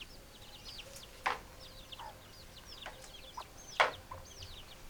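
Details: Chickens make two loud, sharp, broadband cluck bursts about two and a half seconds apart, with softer clucks between and a constant backdrop of thin, high, rapidly repeated chirping.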